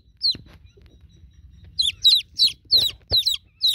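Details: Chicken chicks, newborn, calling for a broody hen: one lone high peep, a quiet stretch with faint low knocks, then a rapid series of sharp falling cheeps.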